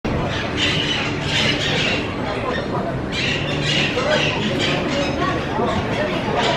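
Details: A flock of about twenty Pacific parrots gathered in the central square of Antigua, Guatemala, before dusk; dense overlapping harsh squawks and chatter fill the air continuously, with an urban hubbub and possible voices underneath.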